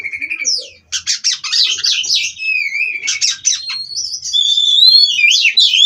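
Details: Oriental magpie-robin from a breeding aviary, rolling without a break: fast buzzy trilled bursts run into sweeping whistles, ending in a long rising whistled phrase.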